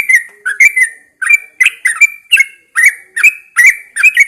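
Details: Yellow-vented Bulbul in a cage, hung outside at dawn to prompt singing. A continuous chain of cheerful, bubbling slurred whistles runs on, about three notes a second, with barely a pause.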